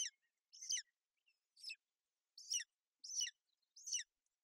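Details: A female golden eagle broods her chick on a Bucovina nest in inclement weather, 28 May 2021, and calls out alongside the chirping chick. Six thin, shrill yelps come at uneven intervals, each a short descending squeal.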